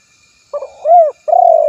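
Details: Spotted dove call, partly cut off: a soft lead-in, a rising-falling coo, then a sustained purring, throbbing coo that runs to the end. Low-pitched and soft.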